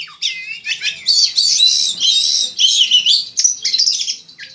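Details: Oriental magpie-robin, a champion song-contest bird, in a continuous, rich, high-pitched song of rapid warbles, whistles and harsh squawky notes that shift constantly in a tumbling stream.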